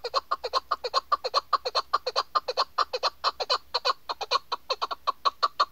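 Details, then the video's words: A female chukar partridge, used as a hunting call, gives a fast, steady series of harsh clucking notes, about four or five per second, running unbroken throughout. "KEKLİK sesi chakor bird shikari chakor sound voice awaz"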